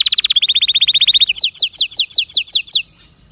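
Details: A canary delivers a quick, regular high trill of repeated notes. It switches to a series of bright descending slurred whistles about five per second, then falls silent.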